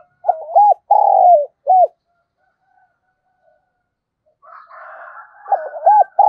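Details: Spotted dove used as a lure for wild doves, thổ-style voice: one cooing phrase of clipped notes and a long falling coo, a noisy rasping burst, then the next phrase beginning.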